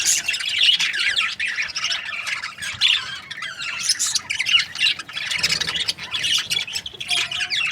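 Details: Budgerigar breeding pairs chattering without pause: a steady flock-like stream of scratchy, warbling chirps and sharp squawks from several birds at once.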